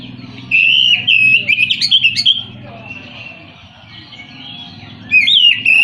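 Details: White-rumped shama, a costly cage bird, singing bursts of loud whistled, warbling phrases with sharp upward sweeps, separated by a quiet gap, then another burst; low background hum throughout.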